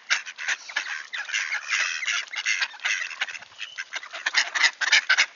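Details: Wood ducks returned to Sainte-Adèle, Quebec, Canada, clear 1°C morning, 18 October 2024: rapid overlapping nasal notes from many birds, with a few thin whistled squeals toward the end.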